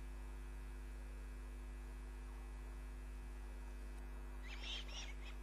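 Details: Osprey at the nest on a live camera feed, 29 June 2010. After four seconds of steady hum, a brief cluster of sharp, high whistled chirps arrives near the end.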